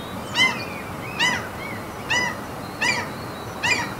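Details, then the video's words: Gulls calling over a mountain fjord in Norway: five harsh, ringing, slightly downslurred cries in four seconds, spaced unevenly, over a soft outdoor hiss. "NORWAY SEAGULLS FJORD AMBIENT SOUNDS"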